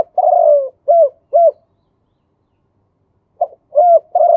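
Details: Male spotted dove in kuu-ang style song ending in two kuk notes: a long descending buzzy coo followed by two short arched coos, a pause of about two seconds, then a soft note and fresh coos beginning the next phrase.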